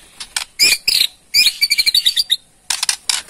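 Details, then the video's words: White-rumped shama (Murai Borneo) delivering harsh ketrekan rattles meant to draw a response: grating, buzzy chatter in quick bursts with rapid pulsed notes. "KETREKAN MURAI BORNEO BONGKAR ISIAN // SEKALI PUTAR AUTO RESPON"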